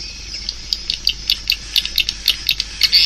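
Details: Swiftlets give a series of short, dry, high clicks, repeated about five times a second in a fairly even rhythm over a faint whine.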